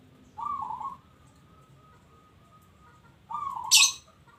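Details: Local zebra dove giving two short, soft, trilled coos about three seconds apart, separated by a faint steady tone; a bright, high-pitched chirp from another bird cuts in right after the second coo.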